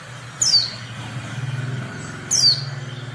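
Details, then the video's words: Oriental white-eye hen calling to prompt males into song; two high, thin falling notes two seconds apart, with a low rumbling engine-like pulsing noise underneath. "pleci betina untuk pancingan pleci bisu"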